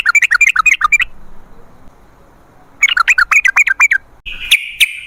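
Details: Sooty-headed bulbul song meant to lure wild birds: rapid bubbling chirp runs separated by a quiet gap, closing with a buzzy, sustained high note.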